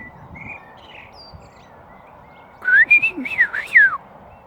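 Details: Bird singing in front of a house in a happy mood, replying to a person: faint distant notes early on, then a loud burst of clear whistled phrases that rise and fall in quick loops for about a second and a half.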